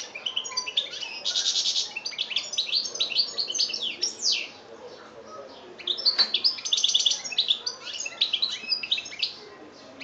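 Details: Song of a European goldfinch recorded in Algeria in 2013: two bursts of dense, tinkling twitters and sharp rising chirps separated by a brief lull, with faint background hiss.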